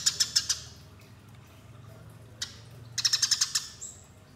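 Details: Eurasian tree sparrow fighting call used as a lure: a short chirp burst, a long quiet stretch with one chirp, then a fast series of sharp chirps ending in a thin whistle.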